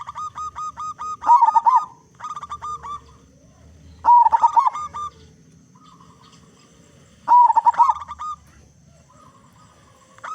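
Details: Loud-singing local zebra dove used as a lure so other zebra doves sing sooner; three short phrases of rapid, rolling coos about three seconds apart, each preceded by a run of nasal, buzzy notes.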